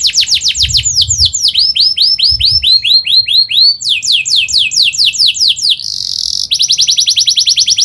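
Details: A canary pours out a fast song used to prompt young birds to learn: series of bright, down-slurred whistles repeated several per second, a short buzzy note, then a quick rattling trill.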